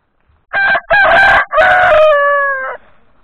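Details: Loud rooster crow in four parts: two short harsh bursts, a longer rough segment, then a drawn-out steady tone ending abruptly. Faint low background noise follows.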